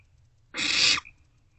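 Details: One short, rough hissing screech, about half a second long, from an owlet in a nest box at night as a parent brings a vole, late March 2024; low hum and a faint high tone around it.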